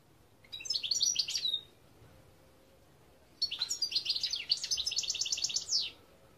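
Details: European goldfinch, recorded 2021: a short twittering phrase, then after a pause a longer run of fast, bright chirps ending in a rapid buzzy trill.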